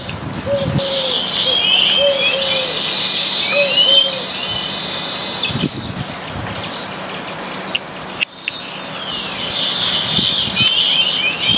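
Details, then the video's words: Baya weavers feeding together on grains in a backyard house garden in India: a dense, continuous high chattering and twittering from a flock, with a few short repeated low tonal notes from another bird early on and brief clicks. "Baya weaver bird sounds"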